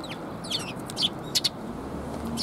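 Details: Sparrows at a Tenmangu shrine on 9 December 2021; a few short high chirps scattered over steady low background hum.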